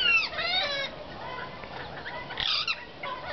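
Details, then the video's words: Several wild rose-ringed parakeets chatter at a porch in harsh, grating, overlapping squawks, with a loud burst at the start and a shrill flurry near the end. They visit daily an adopted chick that fell from one of their nests. "Ringnecked Parakeets Chatting"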